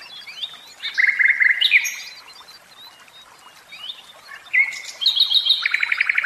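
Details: A caged common nightingale sings separated phrases: a buzzy repeated run, a gap of quieter notes, then rising whistles leading into a rapid pulsing series.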